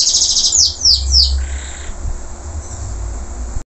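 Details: Local canary singing after its moult: a fast high trill near the top of the range, then three loud downward-sweeping whistled notes, a brief buzzy lower phrase, and quieter soft notes over a low background hum.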